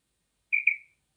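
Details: Female common quail, a local desi bird, with a call used to lure birds when hunting: a thin, high whistled note that breaks into a second sliding, fading note, then a sharp onset cut short at the end, on a silent background.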